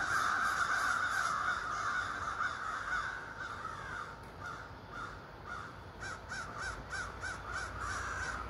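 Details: Morning flock of over thirty ravens in trees across a street: a dense, raucous chorus of overlapping harsh croaks, easing, then separate short caws in a quick run near the end.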